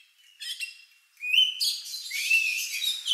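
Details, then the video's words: An Oriental magpie-robin sings an unusual, lovebird-like song: a varied run of high whistles and buzzy, scratchy phrases, shifting pitch quickly, with brief pauses between bursts. "Suara Burung Lagu Unik Kacer"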